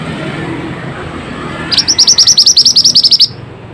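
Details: Lively Pied bushchat song aimed at coaxing quiet or stressed birds to sing: after near silence, about fourteen high, clipped, upswept notes fire off rapidly and evenly over one and a half seconds.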